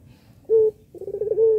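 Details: Puter pelung dove cooing to provoke other doves to call: a short steady low coo, then a brief stuttering burst running into a sustained hum.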